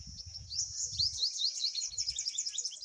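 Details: A pipit, a parent rushing to feed its nestlings after one fell out of the nest, with high, thin, rapid chirps running almost without a break, with a faint low rumble of wind or handling early on.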